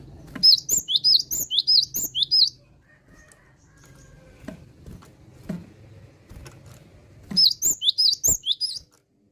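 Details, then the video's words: Java sparrow, a well-practised singer, giving two bursts of rapid high bell-like notes, each about two seconds long, separated by quieter gaps with soft knocks and low rumbling "GELATIK BATU YANG SUDAH GACOR"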